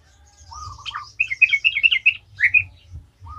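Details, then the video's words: Yellow-vented bulbul singing 'gacor ngalas' to make other trucukan sing: a low whistled note, then a series of clear, sweet chirped notes in quick sequence, with faint high chirps behind. "Trucukan gacor ngalas ahlinya bikin trucukan lain kepanasan langsung jadi gacor ngalas"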